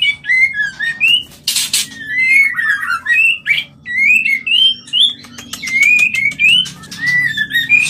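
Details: Mating call of the white-rumped shama, played to stimulate breeding: rapid series of sweet whistled and warbled notes, mixed with harsh buzzy bursts and sharp clicks, continuous varied phrasing throughout.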